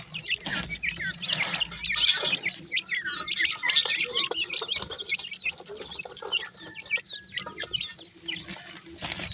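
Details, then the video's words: Grey francolin (dakhni or irani teetar) chicks giving sweet calls: a dense, busy chorus of short high chirps and peeps, overlapping and irregular, with faint rustling and fluttering underneath. "dakhni teetar chicks ki sweet boli"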